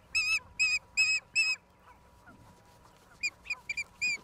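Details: Live nest camera, Charlo, Montana, USA, April 26, 2022: an osprey utters four loud, sustained whistled cries, a pause, then a scatter of thinner, quicker chirps ending on one fuller whistle.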